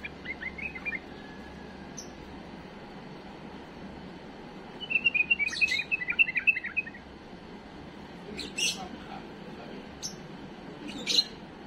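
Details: Pet bulbul delivering a clean song for young birds to learn. After a faint opening note, a lively run of repeated fluty, chattering notes lasts about two seconds, followed by occasional clicks and one high chirp near the end.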